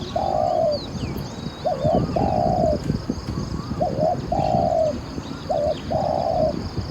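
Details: Decoy spotted dove in good voice delivers four regular phrases. Each is a quick doubled coo and a sustained, slightly falling croon, repeated roughly every two seconds. Faint twittering of small birds sits in the background.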